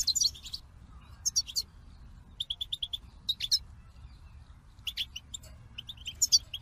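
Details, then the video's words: Goldfinch giving separate short bursts of twittering: bright tinkling notes and quick repeated chips in brief phrases divided by pauses of about a second, faint hum between. "The Captivating Call of Goldfinches"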